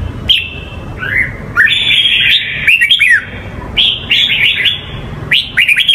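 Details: Red-whiskered bulbul, Hue singing style, used for teaching young birds the song: energetic whistled phrases with rising and falling loops, some dropping slurs and faint high tinkling notes, repeated in several bursts over six seconds against a low hum.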